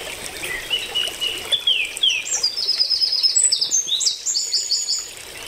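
Purple honeycreeper giving thin, very high chips and a quick run of sharp ticking notes, with a few downslurred whistles early on, over faint background hiss.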